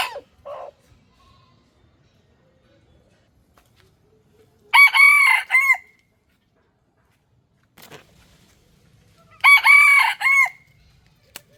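A red junglefowl rooster gives two short, clipped crows about five seconds apart, each a ringing multi-note phrase cut off abruptly. Faint brief clucks come between them.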